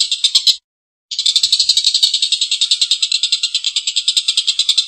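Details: Collared kingfisher giving a long, rough laughing call while in good form. A short burst of harsh chatter pauses for half a second, then a sustained, rapid run of rasping notes follows.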